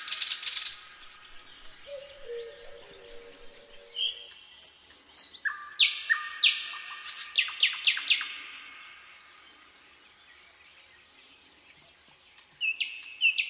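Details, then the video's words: Night song of a common nightingale in a forest: a short harsh burst, soft low drawn-out whistles, then a rich phrase of slurred notes and rapid clicks, a quiet pause, and a few sharp notes at the close. "Incredible Nightingale Singing in the Night Forest"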